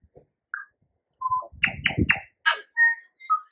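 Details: Tui among yellow-blossomed kōwhai trees in New Zealand singing a varied phrase of clear bell-like whistles, rapid clicks and a harsh wheezy burst, ending in pure ringing notes.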